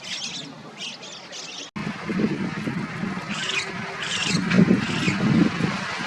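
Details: White-cheeked Starling calling: a few harsh, scratchy bursts in the first two seconds, then more rasping notes later over low rumbling background noise, possibly traffic.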